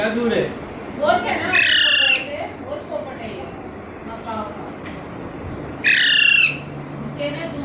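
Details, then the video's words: Parrot chick newly brought home in Panvel, March 2019, squeaking intermittently; soft chirps early on, then two strong, grating, harmonic squeaks about four seconds apart, with people talking quietly in the background. "The squeaking parrot chick"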